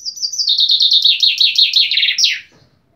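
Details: Common chaffinch singing a loud, clear song: a quick run of descending trilled notes that speeds up and slides lower, ending in a sharp downward flourish after about two and a half seconds, then silence.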